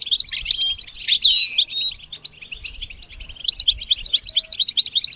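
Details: Goldfinch song starting with a loud burst of liquid, warbled notes and a long whistled line, then a pause and a quieter stream of quick, clipped chirps.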